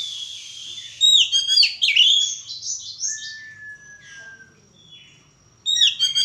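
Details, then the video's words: Magpie-robins in a mating pairing: bright, fast-changing whistled phrases, a long steady whistle, quieter soft notes, then another sudden loud burst of song. "penjodohan burung kacer"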